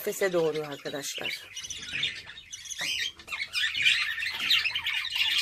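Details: Pet budgerigars, kept and bred at home as a hobby, chatter in a dense, scratchy stream of fast squawks and chirps, following a brief stretch of a woman speaking at the start.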